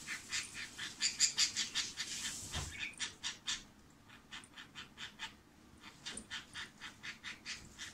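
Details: Buzzy "bububu" calling of a female pet budgerigar caught on camera in secret: loud runs of rough, rapid pulses, a soft thump, then quieter repeated clicking bursts.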